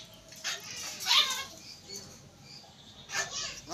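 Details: One-year-old talking common hill myna, kept for sale in Bangladesh, producing short high-pitched speech-like syllables in bursts near the start and end, with quiet room background between utterances.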